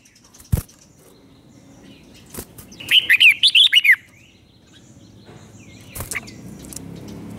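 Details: Red-whiskered bulbul, Thailand, delivering one five-syllable doubled song phrase: a quick burst of about six bright, rolling whistled notes, framed by a few sharp clicks and knocks before and after.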